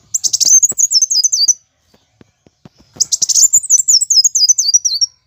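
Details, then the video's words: Two long phrases of plain sunbird fighting song, each a rapid run of shrill chips flowing into a bouncing, descending squeaky trill, with a quiet pause between. "Kolibri Wulung (Kowul) Gacor Tarung"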